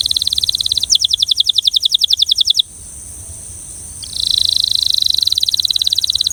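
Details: Belgian canary delivering two bursts of fast, even, high-pitched trilling separated by a short quiet pause; the second burst is dense and buzzy.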